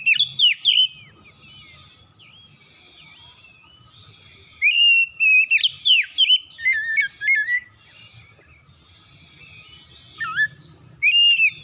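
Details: Morning song of an oriental magpie-robin, delivered insistently and rich in imitated material. Bursts of loud whistles with sliding and stuttered notes come at the start, in the middle and at the end, separated by quiet gaps.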